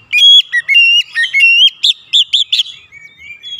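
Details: Aggressive song of an oriental magpie-robin used to provoke a rival: a rapid run of pure, level whistles, then four short rounded notes in quick succession, ending in softer trailing whistles.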